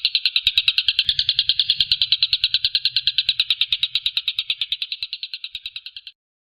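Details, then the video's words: Tengkek buto, a kingfisher, calling a fast chain of harsh high notes, roughly three per second, gradually weakening before stopping abruptly near the end. "Suara burung Tengkek Buto."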